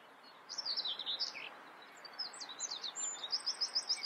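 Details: Common whitethroat song: quick bursts of harsh, chattering high notes, a pause, then a second scratchy phrase ending in a rapid run of evenly repeated chips.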